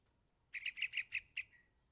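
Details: Yellow-vented bulbul chick calling its parent: a quick run of six short, sharp chirps over about one second, the last note trailing off softly. Quiet background.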